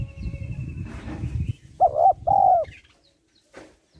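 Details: Female spotted dove calling to stimulate males: after a low rumbling noise, one loud hollow coo, a short doubled note then a long smooth tone, followed by a brief rustle.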